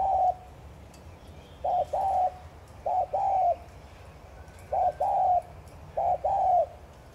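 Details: Spotted dove cooing, a call used to stir decoy doves into calling: low, mellow phrases of a short hooted note followed by a longer wavering coo, repeated about every one to two seconds against a quiet background.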